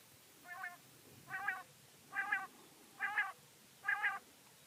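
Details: Five buzzy, harmonic calls from a female common quail, each about a third of a second long and spaced nearly a second apart, growing slightly louder through the series over a faint hissing background.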